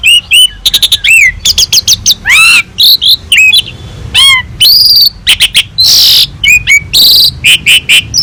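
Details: Jalak suren, the Asian pied starling, singing hard in a full repertoire master track for training other songbirds: rapid curved whistles, arching slurred notes, dense buzzy bursts and clicks with barely a pause.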